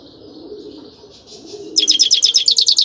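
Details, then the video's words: Grey-crowned goldfinch singing: faint thin notes at first, then a loud, fast run of high, bright twittering trills repeated in quick pulses during the final second. "Пение щегла | пение седоголового щегла. Красивое пение !"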